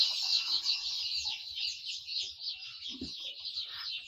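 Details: Very young Tiger breed domestic chicks at a poultry farm in Ashulia, Savar, Dhaka, Bangladesh, packed 70–80 to a carton after getting soaked by water, chirping loudly because they feel cold: a dense, continuous chorus of shrill, high peeping.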